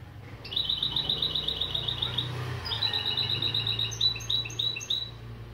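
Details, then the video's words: European goldfinch × canary hybrid mule in a song lesson of opening phrases: a long rapid high trill, a pause, then a lower rolling series that turns into distinct repeated whistled notes, over a faint low hum. "Saka Melezi Ön Çıkışlar"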